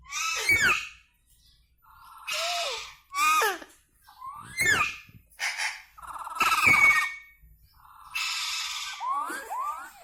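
An Indian ringneck parakeet gives a series of about seven raspy, squeaky mimicked phrases with harsh bursts, recorded indoors in a small room.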